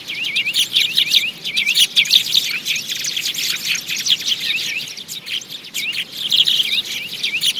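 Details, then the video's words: Sparrows calling in a lure recording used for trapping: a dense, continuous chorus of short V-shaped chirps, many birds overlapping without pause. "Tiếng chim sẻ mp3 | tiếng chim sẻ mồi mới 2019"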